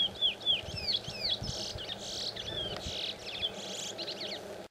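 Chestnut-bellied seed finch singing quick, clear whistled notes that swoop down, mixed with fast buzzy trills, over a low background hum.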